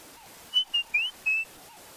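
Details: Robins calling at dusk just after sunset on a bushwalk, with light breeze: four clear, high whistled notes in quick succession, the third sliding upward; doves and a red-chested cuckoo heard nearby.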